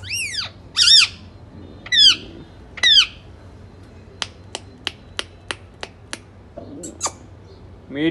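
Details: Pet ring-necked parakeet, said to talk in Urdu, gives four harsh, arching screeches in the first three seconds, then a quick series of sharp snapping clicks and one last squawk at the end.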